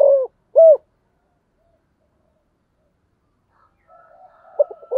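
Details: Spotted dove in sấm thổ style calling. Two short, low, hollow croo notes open the clip, then a long quiet pause, then faint higher chirps and a brief soft coo at the end.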